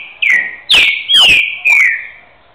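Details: Trained two-year-old green-winged saltator from Rio de Janeiro state, a "boiadeiro" repeater ending phrases with "boi": four loud clear whistled notes, each sliding down from a sharp onset, in quick succession.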